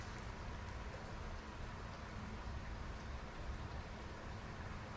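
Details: Steady low rumble like rain or passing traffic, with no animal voices.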